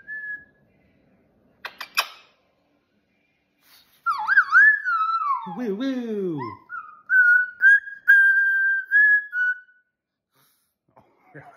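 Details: Excited pet cockatoo indoors during play and dancing: a few clicks, then a burst of wavering, warbled whistles and throaty speech-like sounds dropping low, followed by steadier level whistled notes in short bursts.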